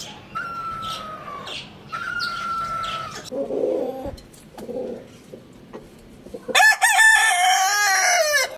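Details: Soft drawn-out calls from nearby birds are heard first, then a rooster's loud, rough crow bursts in near the end and carries on for two seconds.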